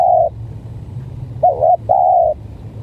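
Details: Spotted dove in a duel between a stuttering-style decoy and a strange-sounding bird: the tail of one hoot, a pause, then a wavering double coo and a long even hoot, over low background rumble.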